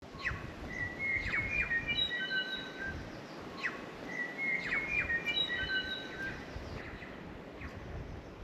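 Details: New Zealand bellbirds singing in untouched native Pureora Forest, New Zealand: clear, bell-like whistled notes mixed with sharp downward clicks, with one rich phrase heard twice and the second beginning about three seconds after the first. A faint low rumble sits beneath.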